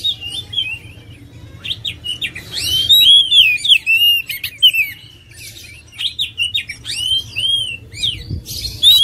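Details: Oriental magpie-robin singing a long, varied sequence of arched whistles and sharp clicks, busy bursts alternating with quieter stretches.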